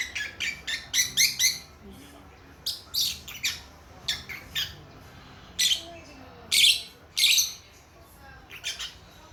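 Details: Baby lovebirds only a few months old chatter in sharp, high, scratchy chirps, some in quick bursts of four or five, others single, with short pauses between.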